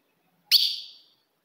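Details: A single clean, piercing chip of a female ultramarine grosbeak, sounded to provoke a male. It starts abruptly and rings down over about half a second in silence.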